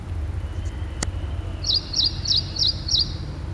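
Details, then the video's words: Ashy prinia, or ashy wren-warbler, giving five high, evenly spaced tchup notes after a single sharp click, over low rumbling background noise. "Ashy prinia or Ashy Wren Warbler - Call,song"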